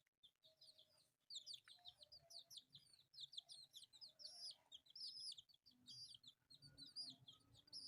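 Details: Playful pet chicks of varied colours keep up a busy stream of shrill, slurred peeps, high whistled notes that dip and rise, growing louder and denser toward the end. Quiet scuffling sounds run underneath.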